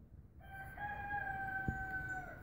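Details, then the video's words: A rooster crows: a long, steady, nasal note held for about two seconds before dropping away at the end, with a brief knock midway and soft background hiss. "roosters crowing"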